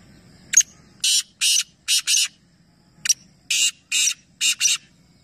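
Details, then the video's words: Two rasping phrases from black francolins in a three-bird calling competition at Nawabshah, Pakistan: each opens with a sharp click, then four loud grating buzzy notes, the last two tightly paired. "Teen Teeter Ek Sath Awaz Competition | Black Francolin"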